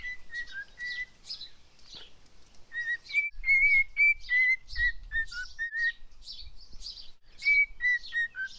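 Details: Pet cockatiel whistling the tune 'If You're Happy And You Know It': a run of clear, pure whistled notes stepping up and down in pitch, broken up by short raspy chirps and faint low thumps.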